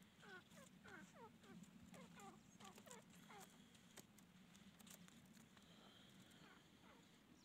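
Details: Francolin (teetar) calling: a quick series of short, harmonic, downward-slurred notes, about several a second and densest in the first half, then thinning out over a steady low hum and faint background noise.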